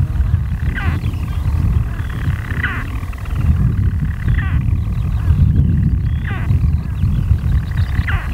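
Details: From underground nest burrows on Skokholm, Wales, European storm petrels call in daylight, 5 June 2013. A low grinding purr carries on steadily, cut by a clear hiccup about every two seconds.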